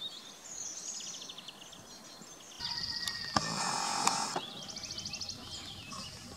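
A Eurasian blackcap gives quick, high, scratchy chattering phrases in short bursts, partly masked midway by a loud burst of rustling noise and clicks.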